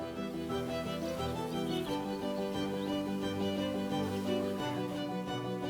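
Steady instrumental music with bowed violin and layered strings plays throughout, with no animal calls audible.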